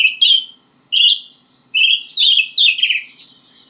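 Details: White-rumped shama practising its song with short bright whistled phrases, separated by pauses, then a longer jumbled warble falling in pitch.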